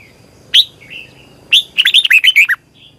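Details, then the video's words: Red-whiskered bulbul singing in the morning in a long, double, twisting competition style used to train and stir other bulbuls to sing: a sharp single note, a soft slurred whistle, then a quick run of bright, warbled, rising-and-falling notes. "Ép chào mào hót Giọng kép xoắn dài hay tuyệt"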